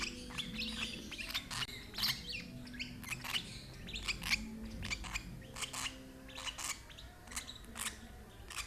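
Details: Lovebird being fed beak-to-beak by an older sibling from the same parents; sharp high chirps come in short bursts and single clicks throughout, with a faint low steady hum underneath.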